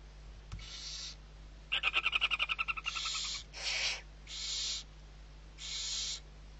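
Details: Barn owl owlets, six being fed at Riet Vell reserve in the Ebro Delta, Spain, 21 November 2023: harsh broadband hissing screeches of about half a second, with a fast stuttering ticking burst, repeated in turns.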